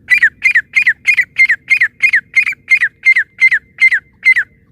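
A female francolin gives harsh, squawking notes, about three a second, in a steady run of around fifteen with no other sounds.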